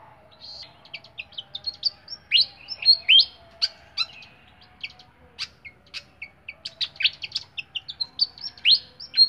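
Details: Caged flycatcher singing an extended, varied song of sharp high chips, quick upward sweeps and short twittering bursts, loosely spaced and building in pace near the end.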